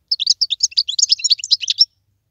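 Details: Wild European goldfinch delivers a continuous, rapid stream of bright, varied tinkling and twittering notes lasting nearly two seconds.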